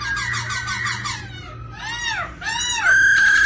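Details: Singing and display of a White-cheeked laughingthrush prompted by a female's rolling 'ro ro' call: a buzzy rolling trill, two arched sweeping notes, then one pure steady whistle held to the end.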